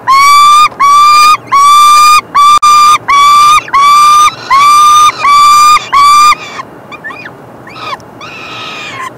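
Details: Peregrine falcon chicks beg while the male feeds them on 3 June 2024. Loud, harsh wailing notes repeat about once a second, each slightly rising then held. After about six seconds they give way to softer, broken squeals.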